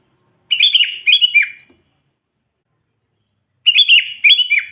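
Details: Sooty-headed bulbul in lively song used to call and provoke wild bulbuls: two bubbly, warbled phrases of quick rising and falling whistled notes, separated by about two seconds of silence.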